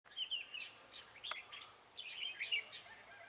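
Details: Red-whiskered bulbul used as a decoy in bird trapping on 7 January 2017, luring wild bulbuls. Bright, chirpy warbled phrases of quick whistled notes in two bursts, over a steady hiss of outdoor background noise.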